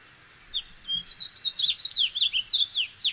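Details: A House Finch sings a rapid, jumbled warble of high, sweeping notes, bright and slurred, running for nearly three seconds. Both sexes sing this courtship-time song, and females sometimes add extra syllables at the start.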